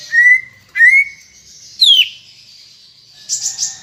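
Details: Greater green leafbird singing loudly to prompt other birds to sing: two clear rising whistles, a sharply falling slurred note, then soft high chattering.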